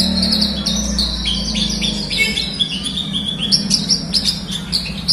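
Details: Horsfield's bush lark, sung to prompt a quiet bird: varied high chirps and slurred downward notes, becoming sharper and more clipped in the second half, with steady low hum.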